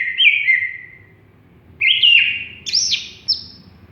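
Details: Greater green leafbird, an unfinished bird not yet in full song: a few long whistled notes gliding down, then a looping rising-and-falling whistle and a short upward flick, low hum beneath.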